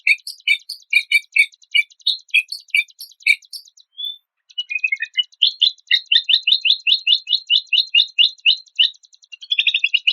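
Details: White-rumped shama song built from compiled 'isian' phrases with rough 'tembakan kasar' shots: rapid repeated chirping bursts, a brief pause with one thin whistle, then a long even series of sharp, bright notes ending in a quick rising trill.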